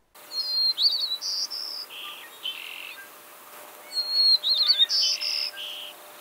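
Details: Two White-crowned Sparrow songs from eastern North America, about three seconds apart, each opening with a clear high whistle, then a jumbled run of notes and a lower buzzy trill to finish.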